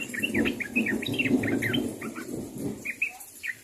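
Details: Yellow-vented bulbul calling to others: a steady stream of short, bubbly chirping notes, several per second, fading toward the end over a low murmuring background noise.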